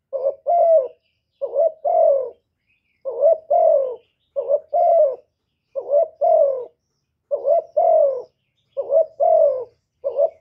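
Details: Repeated two-note coos from a spotted dove (cu gáy) calling and urging: short upswept opener and longer mellow falling note, pairs spaced roughly every 1.3 seconds, clean quiet background.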